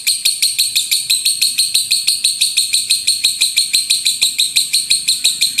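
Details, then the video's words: A lovebird sings a loud, rumbling 'tembakan' song, played as a master recording to train birds: a steady machine-gun series of bright, harsh, very high notes, roughly three per second, on a quiet background. "LOVEBIRD SUARA GEMURUH TEMBAKAN BURUNG LOVEBIRD"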